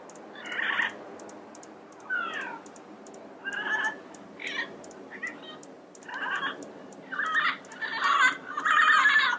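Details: Yellow-headed amazon giving a series of harsh, grating squawks and rasping notes about every second, growing louder toward the end, with faint high ticking in the background.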